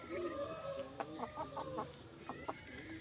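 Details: Red junglefowl clucking in a run of short, sharp, irregular notes, with a longer tonal note at the start and a low background hum throughout.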